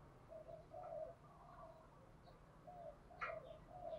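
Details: Spotted dove cooing in the 'thổ pha đồng' voice, quieter low coo notes in two groups separated by a pause, with a brief sharp chirp from another bird.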